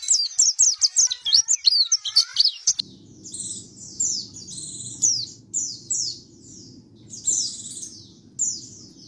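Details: White-eye lure song with background noise removed: it opens with a fast series of sharp, high chattering notes for about two and a half seconds, then shifts to falling whistled sweeps and buzzy trills over a low hum.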